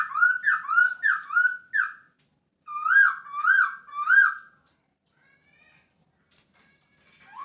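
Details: Masked laughingthrush with rich whistled song, 'gacor full isian' style: four quick downslurred whistles, then three fuller rising-falling notes, then near silence.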